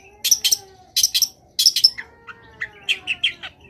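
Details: Long-tailed shrike in energetic song: clusters of high ticking and twanging notes give way to a quick series of softer warbled chirps, with a faint steady tonal hum underneath.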